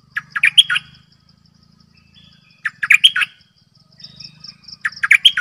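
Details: Decoy bulbul singing short bright phrases of about five quick chirpy, warbled notes. The phrase repeats three times, roughly every two seconds, over a faint steady high insect-like buzz and a low hum.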